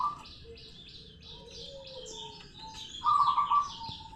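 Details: Mixed high chirps from other birds, followed by a short, loud, low rolling trill from a local zebra dove.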